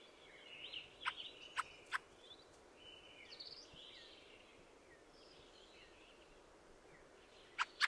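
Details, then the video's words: Fieldfare song: faint squeaky, chattering warble with three sharp, harsh clicks early on and two more near the end, over a steady background hiss. "The song of the Fieldfare"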